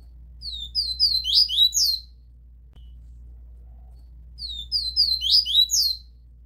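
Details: A double-collared seedeater (Sporophila caerulescens) gives two bursts of its "tui tui" song, each about a second and a half of quick, high, twittering slurred notes, over a faint low hum; the recording is meant for training young seedeaters.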